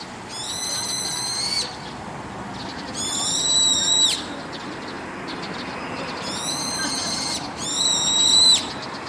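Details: Four rough, shrill screams of roughly one to one and a half seconds each come from an evening brown-eared bulbul perched on a roof, spaced a few seconds apart, the last ending with a brief upward squeal.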